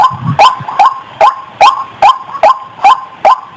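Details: A white-breasted waterhen's lure call, with a brief low grunt at the start, then eight crisp, rising nasal notes spaced evenly, about two and a half each second.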